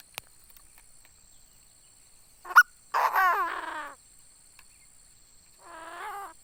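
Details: Chinese francolin kept as a decoy bird, giving a sharp click followed by a loud, raspy, descending harmonic call, then a quieter similar nasal call a few seconds later in otherwise quiet surroundings.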